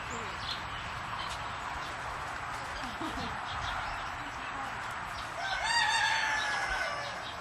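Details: Turkeys on a farm on the edge of Edmonton, Canada: quiet farmyard murmur at first, then a rattling, quavering gobble rises late and fades over about a second and a half.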